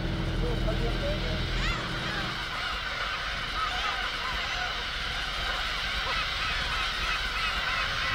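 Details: A dense colony of Black-tailed Gulls on uninhabited Hongdo island off Tongyeong, South Korea, where about 20,000 gather to breed and compete for nest sites, gives many harsh, mewing long calls overlapping rapidly, with a low engine-like hum early on.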